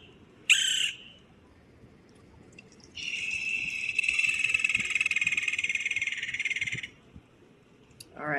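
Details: A West Indian Woodpecker, a Caribbean endemic, gives its distinctive call: one harsh, high note, then a long, rapid, rolling chatter of scratchy notes lasting about four seconds.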